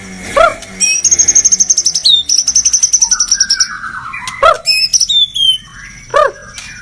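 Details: White-rumped shama (murai batu) singing energetically: a rapid run of high, evenly repeated notes held at one pitch, then sharp downslurred whistles and short bright phrases with brief pauses between them.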